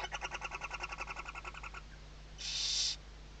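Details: Western barn owl at a nest webcam, Riet Vell Nature Reserve, Ebro Delta, Tarragona, Spain, 2023 season, with a chick moving under its mother's wings: rapid chittering of about ten notes a second for nearly two seconds, then a short harsh hiss over a faint low hum.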